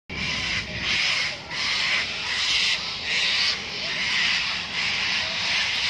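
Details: A flock of cockatoos screeches harshly and continuously at dusk in the Sydney Botanical Gardens, Australia, with raucous rasping bursts overlapping roughly every second, possibly while settling to roost for the night.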